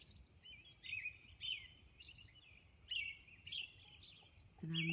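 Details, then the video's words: Dawn song of a Robin on Orcas Island: whistled caroling phrases at steady intervals, then a person's voice starts near the end. "Dawn Robin Song"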